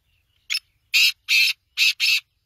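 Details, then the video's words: Black francolin call: a brief sharp opening note followed by four loud, scratchy notes grouped in two pairs, delivered quickly and cleanly. "Kala Tetar Big Show beautiful voice"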